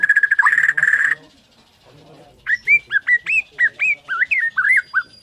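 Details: Morning song of a Bornean White-rumped shama: a harsh buzzy rattle, a pause, then a series of clear upslurred and looping whistled notes delivered about twice a second.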